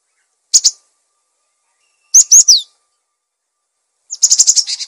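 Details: Gelatik batu, the cinereous tit, singing gacor as a training and provoking recording for other birds: a brief high double chip, a pair of sliding whistled notes, then a fast rattling trill near the end.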